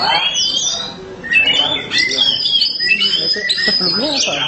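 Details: Black-form Oriental magpie-robin in gacor song, giving bright whistles, buzzy chatters and abrupt squawky notes in fast succession, over a man talking loudly nearby.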